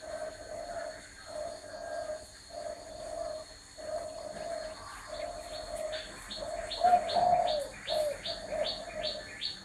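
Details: Spotted dove cooing in a steady series of low, hollow, drawn-out notes grouped in repeated phrases, one louder, wavering coo near the middle; another bird adds quick, high, repeated chirps through the second half.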